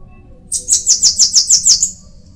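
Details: High-pitched bananaquit song, a quick series of seven or eight sharp sizzling notes delivered in just over a second, ending abruptly over faint low rumble.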